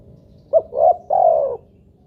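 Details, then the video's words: Spotted dove lure call meant to set off other doves. One cooing phrase: a brief clipped note, a rounder middle coo and a longer, even final coo. "pancingan burung tekukur buat derkuku agar bunyi"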